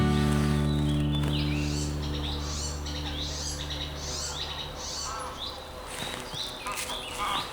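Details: Icterine Warbler, heard but unseen one morning at Bislicher Insel, a Rhine oxbow island in Germany, and identified by app, sings a quick run of varied high chirps and twitters, three or four notes a second, over a low musical hum.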